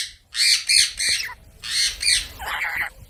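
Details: Parrot vocalizing in harsh, broad squawks: a run of three rapid rasping notes, a short gap, then two more squawks and a lower, rougher final call.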